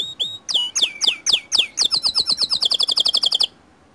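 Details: White canary singing, used to spur other canaries into song: a few sharp descending whistled notes, then a fast, even trill of bright chips that speeds up before stopping abruptly.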